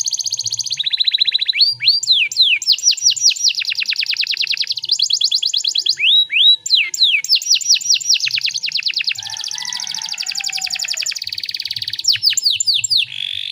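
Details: Canary song in Indonesia, played as a lure to make other canaries start singing quickly. Long, continuous, rich, high trills and rolls, with swooping whistled sweeps and fast repeated notes, barely pausing throughout.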